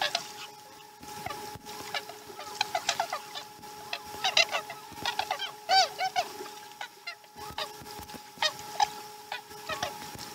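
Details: Osprey at a Chesapeake nest during morning feeding, dated 2019-12-12: bursts of sharp, harmonic chirping calls in quick irregular runs, some slurred and rising, with short pauses between, over a steady low electrical hum.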